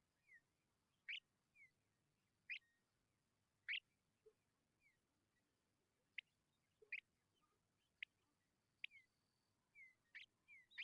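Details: Tawny pipit chicks, described as very hungry, give a long series of sharp, high chirps spaced about a second apart, interspersed with thin, short falling whistles, in quiet surroundings.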